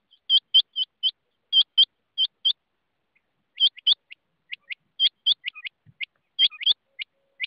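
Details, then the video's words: Rain quail calls in a busy run: rapid high, metallic notes in pairs and short series, then a denser tumble of overlapping softer notes, as if more than one bird answers. "rain quail voice"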